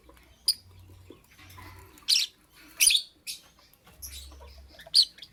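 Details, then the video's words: Lovebird chirping in the morning: sharp piercing chirps and harsh squeaky bursts spaced roughly a second apart, with faint soft twitters and a low hum in the gaps. "Amazing Lovebird - Beautiful Colors - Chirping Sounds"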